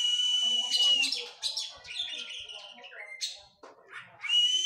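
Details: Oriental magpie-robin training after moulting. A sustained harsh whistle opens, followed by a jumble of chattering notes, short trills and a brief whistled slur. Another long harsh note returns at the end.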